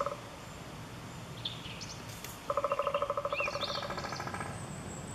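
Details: Eurasian three-toed woodpecker, recorded at Chvalčov, Czech Republic, in August 2013, giving a fast, even chattering rattle of about fifteen mid-pitched notes that trails off, with thin high chirps from other birds around it.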